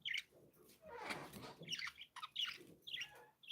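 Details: Happy pet budgerigars chirping: short bright chirps in quick bursts, a breathy rustle between them, and a brief low tone near the end.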